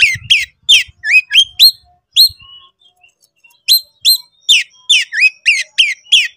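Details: Excited oriental magpie-robin in konslet song, provoking a rival: bursts of piercing rising whistles and downward twists, a short pause, then a quick repeated series of sharp notes.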